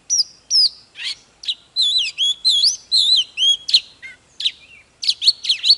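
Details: Oriental magpie-robin, a bird kept for song training, singing loudly and fully: clear whistled notes, sweeping slurs and sharp upward flicks delivered in quick separate phrases, about two per second, with no other sounds.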